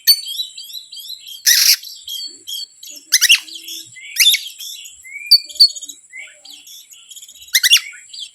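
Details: Oriental magpie-robin, used as a provoking lure for other birds: rich varied whistles and trills punctuated by several loud harsh rasping bursts, over a continuous high hum.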